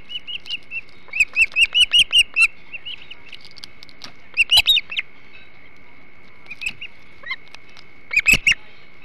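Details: Osprey on the Hog Island nest, 21 July 2016, as a big flounder is eaten: bursts of rapid sharp chirps, softer whistles between, pauses, then a final short loud burst over a constant hum.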